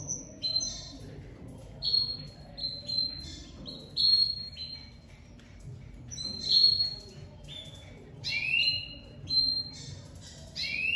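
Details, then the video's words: Crested domestic canary of the lavandeira type, coming out of moult and singing very loudly; high, clear whistled phrases and short slurred notes repeated in bursts every second or two, some rising sweeps, over a low indoor hum. "Canário doméstico lavandeira de topete saindo de muda e cantando muito forte"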